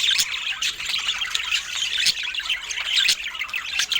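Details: Budgerigars chatter while feeding, giving dense high squawks and chirps punctuated by sharp clicking taps roughly every half second to one second.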